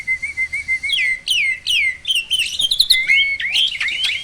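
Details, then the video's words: Starling song meant to prompt silent birds: a steady run of wavering mid-pitched whistles breaks into swooping, falling whistles and quick twittering phrases. "SOLUSI UNTUK BURUNG JALAK MALAS BUNYI!!"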